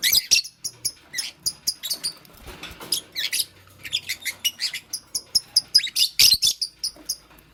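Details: Fischer's lovebird, green, kept with a pastel bird and busy making a nest in the morning, giving a steady stream of rapid, shrill, squeaky chirps, several per second, over most of the recording.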